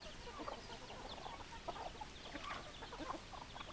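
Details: Hens clucking in a flock, many soft overlapping short clucks and murmurs running continuously under a hiss of background noise, with no single bird standing out.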